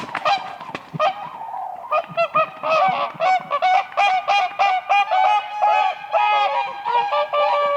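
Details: Whooper swans in spring on a lake, dancing on the ice; a dense chorus of overlapping trumpet-like honks from several birds, nearly continuous throughout.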